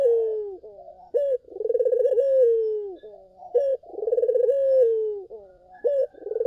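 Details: Puter (Barbary dove) in full song, recorded as a lure to draw answering doves: a clipped introductory note followed by a long vibrating coo that sinks in pitch, about three phrases in quick succession.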